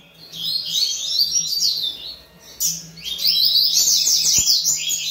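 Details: Coleiro singing energetically: rapid, high-pitched twittering phrases of quick sliding notes, a first burst, a short pause, then a longer continuous stretch of fast chirps.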